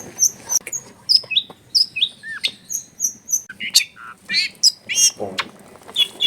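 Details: Long-tailed shrike song used as a lure to prompt a lazy bird to sing, recorded at home in a crowded neighbourhood: a quick, varied string of sharp high chirps, whistled slurs and short downward notes, with faint background noise.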